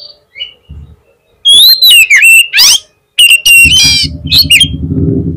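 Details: Kacer, the oriental magpie-robin, singing a lure song meant to draw a fast reply from a rival: rich, rapid phrases of piercing whistles, slurred downward notes and harsh rasping bursts, followed by a low droning hum underneath.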